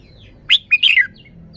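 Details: Red-whiskered bulbul with a well-phrased song: one crisp phrase of four liquid warbled notes, rising then falling at the end, followed by quiet with only faint distant chirps.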